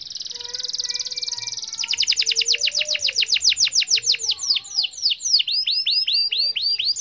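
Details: Canary song meant to prompt mute canaries to sing: a buzzy high trill over low pure whistles, then a loud roll of repeated sweeping notes slowing into separate arched chirps.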